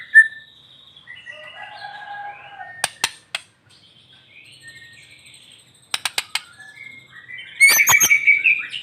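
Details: White-rumped shama singing in the morning sun, played to prompt quiet shamas to sing: soft varied whistled phrases, then sharp clicking notes and a loud buzzy rapid trill near the end.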